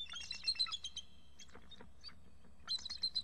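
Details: Pair of eagles at the nest calling excitedly, a juvenile perched in a nearby fir: rapid, thin, high chittering runs of notes, a burst at the start, scattered notes in the middle and another burst at the end.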